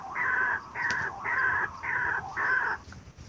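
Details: Harsh, drawn-out nasal croaks of a white-breasted waterhen for a trapping lure, four loud bursts of about half a second each, evenly spaced.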